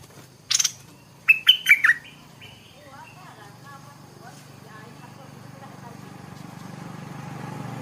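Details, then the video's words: Stripe-throated bulbul in the morning: after a sharp click, a brief run of four quick, bright warbled notes, followed by a low background murmur that grows steadily louder. "เสียงนกดอกแตงEp.142 กินกาแฟฟังเสียงนกต่อเจ้าตัวเล็กยามเช้า(Stripe-throated Bulbul)"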